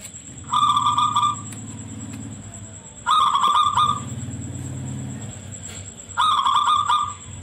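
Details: A captive zebra dove (Geopelia striata), a loud local bird used as a song model for other doves, sings three shrill, stuttering cooing phrases about every three seconds, each followed by a low purring roll, over a steady high electronic whine.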